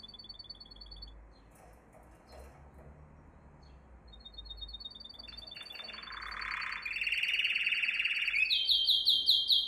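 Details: Canary song for training young canaries: faint, high paired notes repeated in long steady rows, then a loud grating roll and fast bright trills building toward the end against a soft background hiss.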